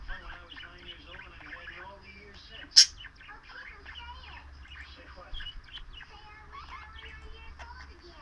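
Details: Female pet bird chattering to her bell: continuous soft, warbling, speech-like chirps and twitters that bend up and down in pitch, with one sharp metallic clink and a low background hum.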